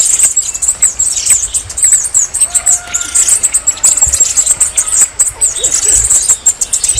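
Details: Very high, thin, tinkling notes from a red-necked tanager, delivered in quick pulsing bursts, with a few faint lower sounds in the background.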